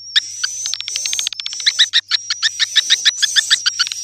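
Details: Swiftlet calling sound used as a lure: rapid, sharp twittering chirps repeated several times a second, with a thin, steady, slightly wavering high whistle throughout and a faint low hum.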